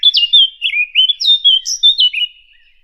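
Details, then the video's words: A fig bird gives a quick, high, warbled phrase of sliding, chirpy notes that rise and fall for about two seconds, with no other sounds. "Fig bird. Fig bird sound."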